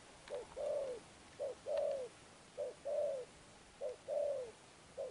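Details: Spotted dove, wild-caught, cooing in the 'Thúc Đồng Pha Sấm' manner with 'Sấm Thổ' tone. Regular rhythm: a clipped note, then a long, softly falling coo, about four phrases plus the start of a fifth, with faint clicks.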